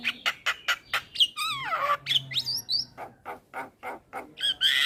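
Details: Male Javan myna calling companions as a lure: rhythmic harsh clicking notes broken by descending wavering whistles and a rising slur, then more evenly spaced raspy chacks.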